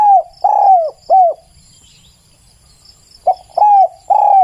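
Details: Loud spotted dove cooing: three arched coos, nearly two seconds of quiet, then another run of three coos, a short note leading into longer ones, with a faint high hiss behind.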